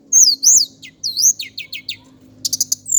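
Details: Indigo flycatcher, a male from Java, singing high, thin whistled phrases with upslurred and looping notes, then short clipped chirps and a rapid burst of four sharp high notes near the end.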